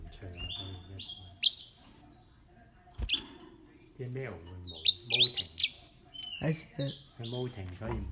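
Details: Green singing finches, thirteen years old, giving bright high chirps and short twittering phrases in two bursts, with a quieter gap between them and low murmuring voices underneath.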